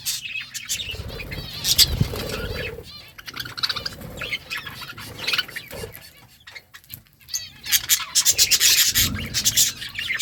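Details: Budgies feeding on green food mix soft warbling and occasional chirps with bursts of wing flutter, ending in a loud, dense, scratchy chatter from several birds.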